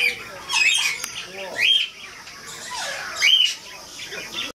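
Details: Cockatiel uttering coarse raspy squawks with a short high whistle on top, three main bursts spaced roughly a second and a half apart, ending in silence.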